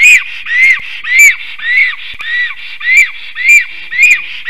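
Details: Nest-defending song of a black stork returning home, recorded at 5:58 pm on 9 April 2024: a steady series of rising-then-falling whistled notes, about two per second, each with a brief hissy overtone.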